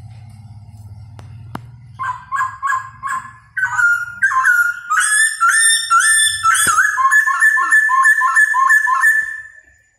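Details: Laughingthrush singing while dancing: a short sharp click, then a build-up of rapid repeated whistled notes becoming louder, richer phrases that fade out at the end, with low hum early on.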